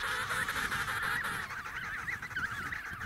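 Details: Emperor penguin at Snow Hill uttering a loud, vibrating, warbled call: a quick run of wavering notes, roughly three per second, oscillating in pitch, over low wind noise.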